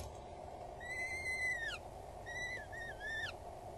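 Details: Peregrine falcon chicks begging while being fed at an Axel Tower nest in the Netherlands, April 2022 midday; a long thin wailing squeal, then shorter wavering whines, over constant rushing background noise.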